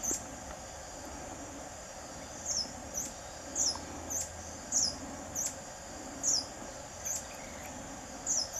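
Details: A Buff-bellied Hermit (Phaethornis subochraceus) gives thin, very high single call notes, repeated about once every second, over a steady high insect drone.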